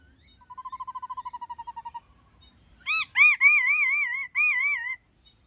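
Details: White-cheeked laughingthrush in wild-style song, played each morning to spur captive birds to sing: a quick even trill of about fifteen short mid-pitched notes, then a pause and a loud run of high, wavering whistled phrases.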